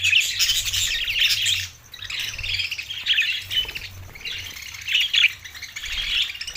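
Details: June 7, 2024, Larkana, Sindh: budgerigars chatter in rasping, warbled phrases. There is a brief lull near two seconds, then clusters of squawky chirps return, with a faint low hum.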